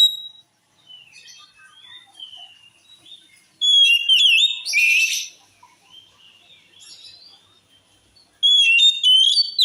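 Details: Oriental magpie-robin song said to make rival males furious: rich whistled slides and a harsh buzzy burst mid-phrase, quieter scattered notes between, then another loud burst of chattering whistles.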